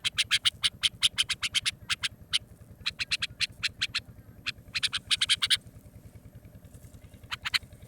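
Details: Common nightingale, recording meant as a hunting lure, sings in bursts of fast, sharp, repeated notes, several runs separated by brief pauses, over a steady low electrical hum.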